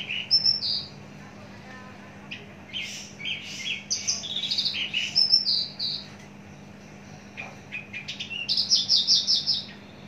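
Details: Long-kept caged Javan bush lark, mature and large-bodied, sings busy mixed phrases of high whistles, burry notes and stuttering trills. A quieter gap in the middle gives way to a fast repeated chattering end over faint hum.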